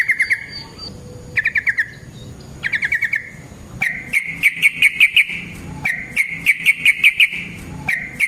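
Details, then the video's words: Yellow-vented bulbul in a long rolling fighting song used to lure and train other bulbuls: short bursts of rapid chattering notes near one pitch, separated by brief pauses, then longer runs of about eight sharp, even notes. "Burung TRUCUKAN GACOR Ropel Panjang Cocok untuk PANCINGAN Trucuk bahan dan MASTERAN Burung Trucukan"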